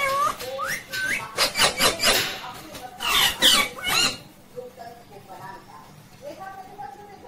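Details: Ringneck parrot at home, talking "mummy papa": short squeaky rising syllables, then a dense burst of harsh noisy squawks, followed by quieter murmured word-like notes.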